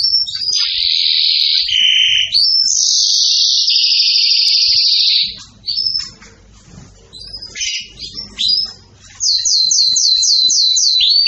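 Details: Excited canary singing long buzzy trills at shifting pitches, a pause with scattered short notes, then a fast run of repeated curling notes.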